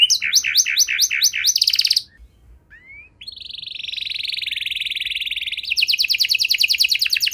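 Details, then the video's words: Canary song intended to prompt other canaries to sing: quick rolling trills, a short pause with a rising slur, then a long sustained buzzy tone that breaks into a fast pulsed trill. "Kenari Gacor Durasi Panjang Cengkok Istimewa! Efektif Buat Memancing Kenari Macet Biar Gacor Kembali"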